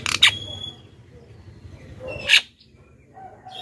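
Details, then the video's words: Black-winged myna calls used as a lure to attract wild birds: two harsh, broadband screeching notes about two seconds apart, with faint chatter and low background hum between them. "suara JALAK KEBO pikat"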